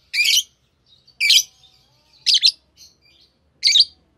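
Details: Harsh, rasping chirps come from a green Fischer's lovebird pair, about one per second, with soft, thin twitters between the loud notes.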